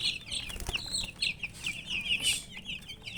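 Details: Brightly coloured chicks give rapid, piercing peeps in a short burst, several voices overlapping in quick high chirps, with a soft knock or tap near the start.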